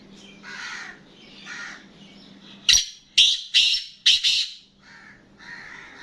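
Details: Black francolin's loud phrase of four harsh, rasping notes in close rhythm, framed by softer, lower grating calls before and after, over a faint steady hum.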